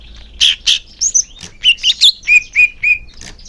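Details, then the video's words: Greater green leafbird song meant to get caged birds singing: loud harsh bursts and mixed chirps, followed by three steady level whistles repeated about every quarter second. "Suara Cucak Hijau Biar cepat gancor"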